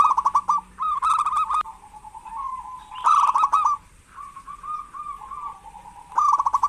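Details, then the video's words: Local zebra doves calling actively, used as a lure to stir lazy doves into calling: rolling, trilled phrases of quick repeated notes in a steady mid pitch, with pauses between bursts and some sharp clicking noises. "Perkutut lokal gacor pancingan perkutut malas agar bunyi"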